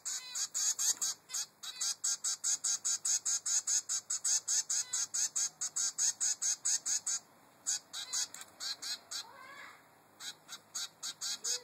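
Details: Three-week-old zebra finch chick demanding food from its mother: a long run of harsh, nasal, buzzy notes repeated more than twice a second, steady and insistent, then a brief gap before the calling resumes.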